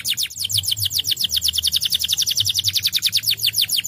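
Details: A canary sings, used to coax lazy canaries into song: one continuous, rapid rattle-like trill of high, short descending notes repeated evenly for four seconds, faint hum underneath.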